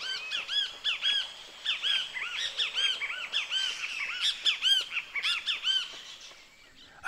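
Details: Great Kiskadee (Pitangus sulphuratus) singing in a tree's canopy by the Huatulco River, Oaxaca, Mexico, on a cool early morning near sunrise as spring approaches, repeating loud, insistent arched notes, several times a second, the most conspicuous voice in a busy songbird chorus.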